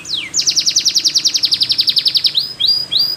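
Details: Belgian canary delivering one slurred downward note, then a bright, evenly pulsed trill of about twenty rapid notes, followed by two rising swept whistles.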